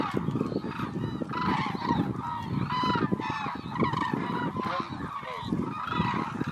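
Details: Hooded cranes calling together, many overlapping loud trumpeting, honking notes with rising and falling tones, dense and continuous, over heavy low rumbling background noise.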